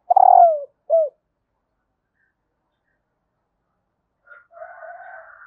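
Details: Female spotted dove calling to stimulate males: a long coo dropping in pitch and one short note, then a pause and a soft, rasping murmur near the end.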